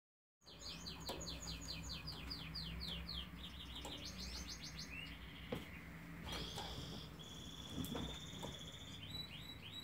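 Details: Canary singing at a distance: a series of fast repeated trills, each held a second or so, shifting in pitch from phrase to phrase, over a steady low hum.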